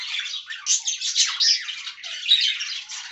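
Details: Close, steady budgerigar warbling while the birds eat fresh green leaves: a scratchy, bubbling run of high chirrups and squeaks that rises and falls without breaks.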